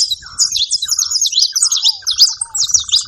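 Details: Saffron finch calling together with ground doves: dense, very high twittering chirps run on without a break. Lower, buzzy, pulsed notes and a few short downward-slurred whistles sound beneath them.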